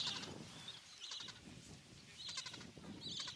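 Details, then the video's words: Gentoo penguin colony on Carcass Island in the Falkland Islands, 21 January 2019: short high pulsed squealing notes in bursts about a second apart over a low murmuring colony din. "Gentoo Penguins, Carcass Island"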